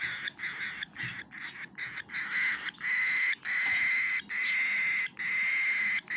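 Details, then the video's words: Cockatiel chick begging as it takes food: short raspy pulses at first, then long, loud, grating buzzes repeated with brief pauses. "Cockatiel baby bird is eating food"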